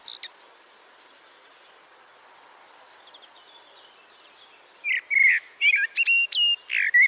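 A common blackbird sings loud, varied phrases of clear mid-pitched notes mixed with squeaky, high twittering, after a thin high note and a faint distant warble.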